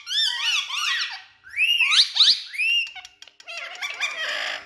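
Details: Indian ringneck parrot kept indoors alongside two other speaking parrots, giving rapid harmonic-rich squeaky vocalizations with rising and falling slurred notes, then a burst of harsher noisy chatter.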